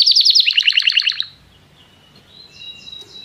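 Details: Canary calling another canary to sing, song training: about one second of rapid chattering trill with doubled notes, then quiet with a faint distant thin whistle.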